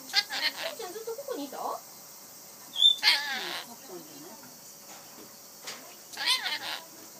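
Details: Pet rainbow lorikeet talking, saying the Japanese peekaboo phrase: a wavering, voice-like phrase that slides downward, a brief high whistle, then screechy, rasping bursts separated by quiet gaps.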